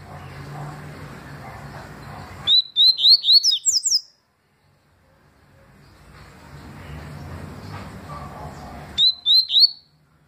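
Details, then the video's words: Papa-capim, the yellow-bellied seedeater, in a 2020 recording of its tui-style song: a fast string of bright, upslurred whistles, a pause with low hum, then a shorter repeat of the same phrase. "Papa capim tui detonado em 2020"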